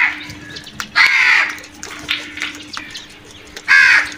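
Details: Crows attacking food: a long hoarse caw, then softer short calls and a final loud rasping caw.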